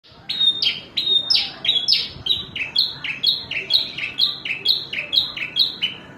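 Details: Javan bush lark (branjangan) singing a rapid run of bright, high chirps, each note sliding downward, delivered about once a second in steady succession, with a faint low background murmur.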